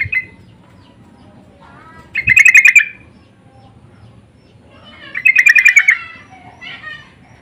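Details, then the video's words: Yellow-vented bulbul lure calls meant to draw other bulbuls into answering, insistent in tone: two loud bursts of rapid, harsh chattering notes, each under a second, with a few softer notes between and quiet background. "Pancingan dan panggilan burung trucuk saling bersahutan❗suara ngotot"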